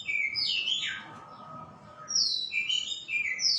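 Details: White-rumped shama singing: rich whistled phrases that sweep up and down, a long slurred opening passage, a short pause, then a fresh burst of bright varied notes.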